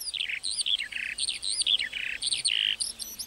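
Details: Lark singing in a meadow, mixing rapid high chirps with short buzzy rasping notes and downward slurs in a fast, varied stream.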